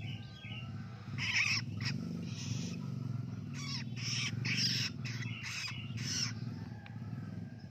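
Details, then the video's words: Hand-raised juvenile long-tailed shrike, newly independent, practising its song: scratchy, grating bursts in uneven runs, some with a thin whistled edge, over a steady low rumble. "ANAKAN PENTET SUDAH MANDIRI ‼️ BELAJAR NGELOLO"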